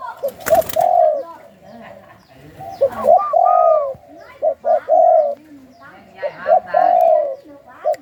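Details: A captive Spotted dove coos in soft, mellow, low hooting notes in short rolling phrases, repeated every second or two, with a brief clap or voice near the start.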